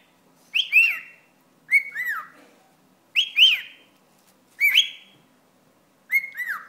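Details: Pet cockatiel annoyed by a wad of paper towel, giving five loud harsh two-part calls, each a sharp rising-falling note followed by a second drawn-out note, repeated roughly every one and a half seconds in a quiet room.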